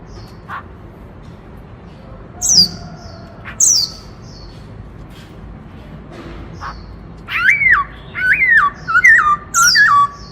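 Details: Black-throated laughingthrush in 'Bắt Cô Trói Cột' style song, sung loudly to stimulate other birds: faint scattered notes and two high thin downslurs open, then four loud looping whistles in quick succession close the passage.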